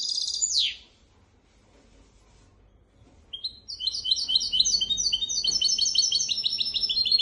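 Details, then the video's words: Goldfinch x canary hybrid sings a tutor song for goldfinches and canaries: one loud downward-sliding note, a quiet gap of two seconds, then fast twittering trills of repeated high notes build and continue. "تغريد طائر الهجين ميسترو حفاضه لتعليم طيور الحسون والكناري بدون اخطاء"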